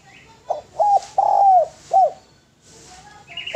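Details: Spotted dove cooing: a soft, mellow phrase of short arched coos followed by one longer drawn-out coo and a closing note, with light background hiss.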